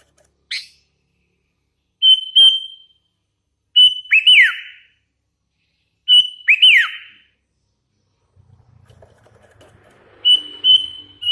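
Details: Hand-fed young sooty-headed bulbul singing actively: clear whistled notes near one pitch, each followed by a quick downward-slurred flourish, phrases repeated about every two seconds, with a short low rustle near the end.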